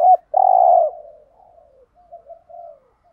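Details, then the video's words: Spotted dove calling to lure wild doves, 'gáy gọi' and 'thúc gù' cooing; a short note then one loud sustained coo that fades into several soft, low, drawn-out coos. "chim cu gáy kích bổi thúc gù/ chim cu gáy mồi bài bản [ thúc gù. gáy gọi ] bổi nghe gáy theo 100%"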